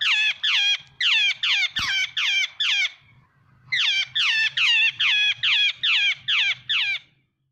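Jungle babbler giving harsh, squeaky descending notes in a rapid chattering series, a brief pause, then the series again; a faint low hum beneath.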